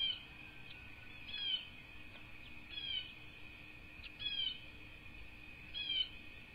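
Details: Two bald eagle chicks calling from their nest on a Southwest Florida cattle ranch, USA, 5-2-24: high, thin, slurred chirps repeated about every one and a half seconds over a constant high-pitched hum.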